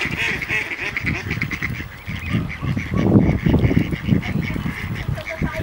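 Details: Fighting ducks on ice give a dense chorus of nasal quacks and honks, with loud low thumping and flapping noises in the middle of the scuffle.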